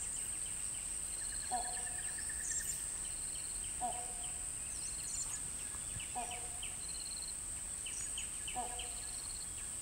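A great hornbill gives short, hoarse barking calls about every two seconds, over a steady high insect drone and scattered chirps from small birds.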